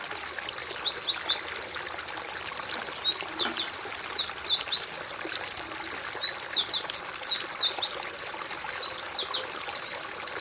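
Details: White-eye known as pleci, recorded as a masteran for teaching other birds: long run of bright, high-pitched chirps and slurs, steady and continuous throughout.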